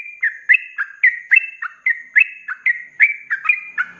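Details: Sooty-headed bulbul singing actively in ropelan style for tutoring cage birds: clear whistled notes paired with lower slurred ones, spaced a little over one per second, bright and ringing, a faint low hum at the close.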